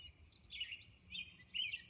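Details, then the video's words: Early-morning Robin song on Orcas Island. Three quick whistled phrases, each slightly warbled and falling in pitch, follow one another closely over faint hiss. "Dawn Robin Song"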